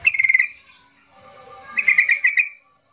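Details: Agitated yellow-vented bulbul song as a lure to make quiet birds sing: a quick run of bubbly chattering notes, a softer warbled pause, then another lively burst of liquid notes.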